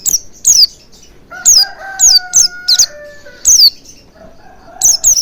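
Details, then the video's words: Oriental white-eye lure sound for stimulating song: high, sharp, falling chirps in pairs, with a lower, steady drawn-out whistle-like tone running beneath them midway through. "Pancingan Burung Pleci Agar Cepat Ngalas & Buka Paruh Maksimal"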